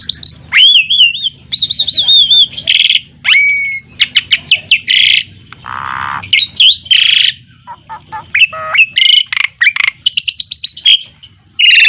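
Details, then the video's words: Ten-year-old caged Asian pied starling singing in the nonstop gacor mompa style: loud, varied phrases mixing wavering whistles, sharp clicks, harsh rasping bursts and a low buzzy note, with frequent pauses. "Jalak suren gacor mompa umur 10 tahun"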